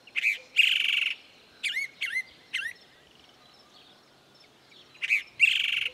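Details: Chalk-browed mockingbird arrives singing at a farm in the Bahia sertão, northeastern Brazil: harsh buzzy bursts at start and end framing a few quick, looping whistled notes, with a faint rural hush behind.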